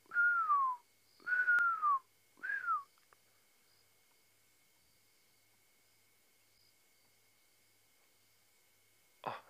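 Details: Pearl-spotted Owlet at sunset, 26 March 2017, Djuma Game Reserve area, one of one or two calling territorially or to attract a mate, gives three loud, clear downward-sliding whistles; after a long quiet spell, a brief knock.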